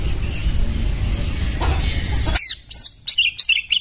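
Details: White-rumped shama recorded in the forest as tutor material: a loud rumbling background gives way abruptly to a burst of sharp, high chirps and quick notes that descend slightly.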